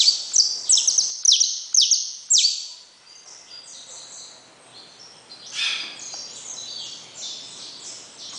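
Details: Saffron finch delivering loud, ringing downward-slurred notes for about three seconds, then fainter, more distant-sounding notes over soft background noise.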